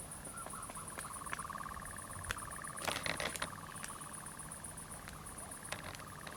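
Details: Common nightjar churring after dark in pine woodland at Zamudio, Bizkaia, Spain, 7 July 2020, with fireflies about. A rapid pulsed trill holds steady throughout, broken by a burst of rustling and clicks, over a high insect whine.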